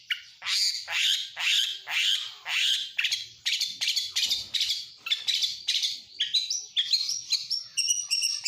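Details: Kacer, or Oriental magpie-robin, giving a full imitative song with lovebird, canary and prinia phrases. A run of harsh swelling notes repeats about twice a second, then breaks into quicker, higher chips.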